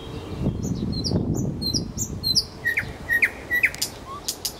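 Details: Nightingale in song at Kuzminsky forest park: a string of high, paired whistles, then loud slurred notes repeated about twice a second, ending in sharp clicks.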